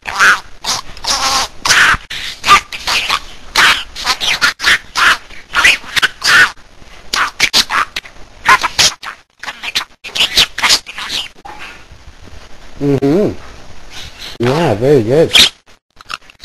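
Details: A pet budgerigar talks in quick, raspy bursts of speech-like syllables mixed with chattering warble.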